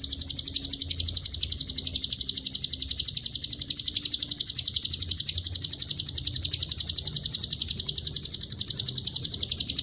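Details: Lovebird's long ngekek laced with cililin and canary phrases, a lure recording: nearly ten seconds of unbroken high-pitched rapid chattering pulses at a steady beat, a faint low hum behind.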